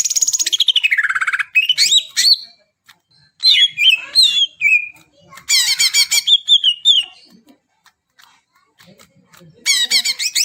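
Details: Varied greater green leafbird song for prompting silent birds: a rapid buzzy trill sliding downward, then twittering whistles and warbled phrases, a chattering burst, a pause, and another fast trill.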